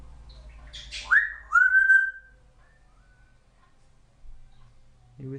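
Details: Female African grey parrot under one year old, a talkative pet: after a low murmur, a bright whistle jumps up, then settles into a long smooth held tone; a short lower sound follows after a quiet gap.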